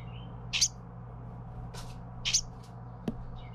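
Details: Baby Carolina wren fed by parents makes two harsh high hissy bursts, with a single sharp click later, over a low steady hum.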